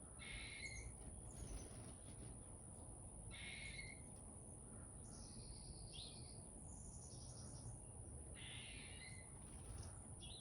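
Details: Chickadee in a backyard giving a series of short buzzy notes spaced a few seconds apart, mixed with a few thin high descending whistles, against low background rumble and a steady high-pitched hum.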